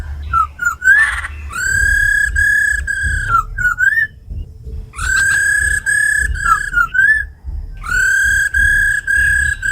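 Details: Tame khướu mun laughingthrush singing in 'giọng rừng' forest-voice style alongside a rattling female, used to stir up captive birds: long, steady, rich whistled notes held several seconds, broken by short slurred twists and pauses.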